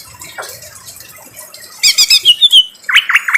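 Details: Greater green leafbird in harsh voice over quiet rain: a soft stretch, then a loud burst of scratchy repeated chips ending in a falling whistle, followed by a few hoarse notes.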